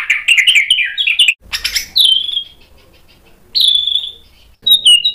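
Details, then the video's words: Energetic white-rumped shama song full of sharp imitated phrases, meant as a lure so other birds reply: quick chattering notes at first, then separate clear whistled phrases that slur downward, with short pauses between them. "MURAI BATU GACOR bongkar isian tajam cocok untuk PANCINGAN biar ikut NYAUT BUNYI"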